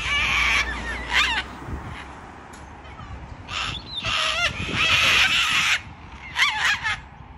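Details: Wild sulphur-crested cockatoos going crazy: harsh, raucous screeches in several grating bursts over a few seconds, loud and broadband with a rough, rasping edge.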